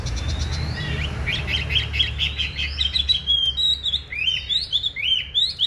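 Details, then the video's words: Caged male Chinese hwamei in fighting display, fluffing and singing strongly: rapid series of loud, clear whistled notes, rising and falling slurs repeated in quick succession, with low background hum. "Bộ to đấu xòe hót rất tốt, giộng rất hay | Họat Họa Mi"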